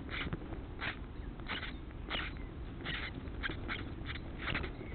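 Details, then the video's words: House sparrow chicks being fed by their parents, giving bursts of harsh, broadband chirping in short clusters, roughly every half second to second, over steady low rumbling background noise. "HOUSE SPARROWS FEED CHICKS"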